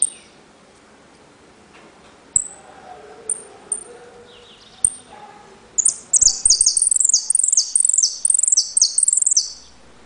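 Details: Saffron finch (jilguero), caged, Trenque Lauquen: a few lone high whistled pips, then a loud run of rapid, shrill, descending buzzy notes repeated for several seconds in repique, golpe and pitadas style.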